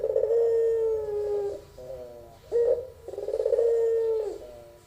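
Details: Young albino Barbary dove cooing in a long, drawn-out pelung style: two sustained, steady mid-pitched coos with rich harmonics, each about 1.5 seconds long, separated by a short broken note, in a small indoor space.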